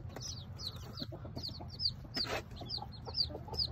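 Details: Baby chicks of a tiny bantam Sebright mother hen, ten hatched from hidden eggs: clear, high, falling peeps about every third of a second, with one brief broadband rustle and light background hum.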